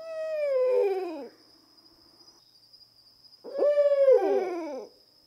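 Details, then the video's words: An owl delivers two descending, quavering whinny calls about three seconds apart, each starting level and breaking into a tremulous downward slide, with a constant faint high tone behind. "The Distinctive Calls of Owls"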